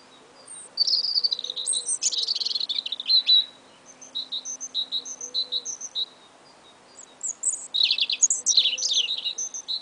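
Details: Early spring duet of two little songbirds. Bursts of fast, buzzy, jumbled twittering alternate with strings of clear, high, evenly spaced double notes. A faint steady low hum runs underneath.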